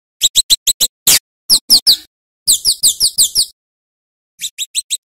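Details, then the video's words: Kemade or Scarlet-headed flowerpecker recorded for teaching other songbirds; several short runs of sharp, very high tsip-like notes, then a pause before a final brief burst. "Masteran Burung Cabai Jawa / Kemade Gacor | Suara Kicauannya Mantap Untuk Isian Burung bahan"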